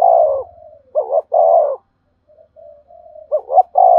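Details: Spotted dove calling to lure wild doves so they answer and come in quickly. Loud, low mellow coos: a drawn-out note, then a short doubled note and another long coo, with faint answering cooing in the gap.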